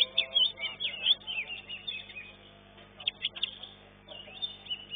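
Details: Caged greater green leafbird (Chloropsis sonnerati) at a songbird contest, placing second in its class, sings a fast, high run of sweet whistles and twittering chirps in bursts with brief pauses between phrases.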